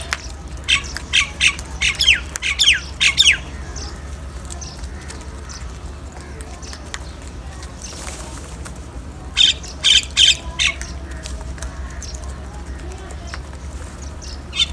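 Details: Crow calling while eating salty food: harsh, raspy calls come in a quick series of about five between one and three seconds, then another short series near ten seconds, over a steady low hum.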